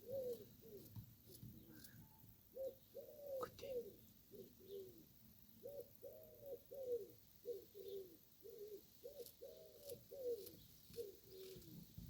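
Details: Pigeons or turtle doves cooing in the countryside in spring, soft low hollow notes in steady runs of about two a second, with faint background; cows are distant.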